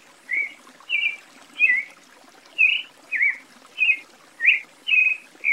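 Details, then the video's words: A Creamy-bellied Thrush (Sabiá-poca, Turdus amaurochalinus) in Brazil sings a series of short, slurred warbled phrases, about two per second, varied in shape and mid-high in pitch, over quiet background hiss. "O quinto da lista, é o Sabiá-poca (Turdus amaurochalinus)."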